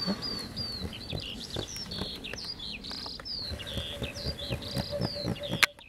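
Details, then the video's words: Eurasian skylark song over fields in the Las Kabacki Nature Reserve, Poland, 20 April 2021, spring: high, thin whistled phrases and quick chirps running on without pause, fairly soft, over low rumbling background noise. "Skowronek polny śpiewa nad polami"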